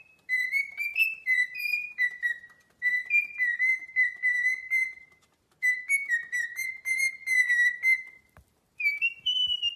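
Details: Pet parrot whistling a clear, tuneful run of steady notes that step up and down slightly, in phrases of a few seconds separated by short pauses, with no other sounds.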